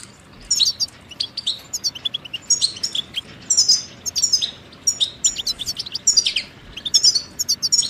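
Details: Goldfinch song used as a tutoring tape for chicks and songbirds. Busy, almost continuous high twittering with rapid tinkling trills and buzzy chirps running together for the whole stretch.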